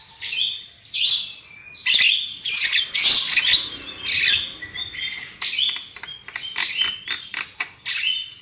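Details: Javan myna singing in a lure recording for loud singing: harsh squawks interwoven with clear level whistles and chattering notes, delivered in irregular bursts throughout.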